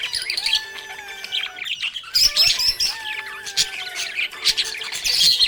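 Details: Budgerigars sound happy in a busy stream of high twittering chirps and short warbled notes, briefly pausing near the middle before resuming louder, with faint background tones.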